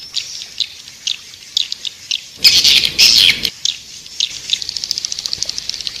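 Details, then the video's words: Swiftlet lure sound for edible-nest swiftlets, meant to pull birds into a nesting house: soft, high ticking chirps, then a loud one-second burst of buzzy squealing twitter, followed by quick repeated clicks and chirps. "Suara Tarik Walet Raja Liur Emas"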